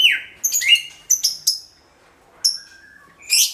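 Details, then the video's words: Loud greater green leafbird song, played as a lure for all kinds of birds: a falling whistled swoop, then a few sharp high chips and squeaky notes with short pauses, ending in a rough rising burst. "SUARA CUCAK IJO MENGGELEGAR PAS BUAT PANCINGAN SEGALA JENIS BURUNG"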